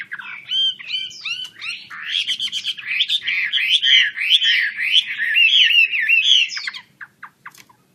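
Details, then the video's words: Chinese hwamei singing a fast, dense warbling stream of rising and falling whistles, fading to a few sharp chips after a pause. "KICAU HWAMEI"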